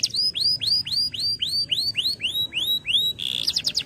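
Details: Male canary, whose song serves to train young birds, delivers a string of high, upward-arching whistled notes, roughly four per second, then breaks into a quick rattling trill.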